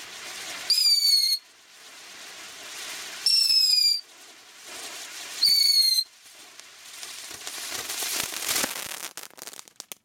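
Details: An angry Long-eared Owl at Firewheel, 2012/13, gives three loud, high, slightly falling whistled squeals, each about half a second long and spaced two to three seconds apart, over a soft hiss and crackles.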